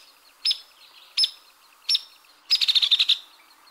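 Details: Sharp peek notes of a Hairy Woodpecker, three loud single calls spaced under a second apart, then a quick, even-pitched rattle of about eight clipped notes closing the sequence.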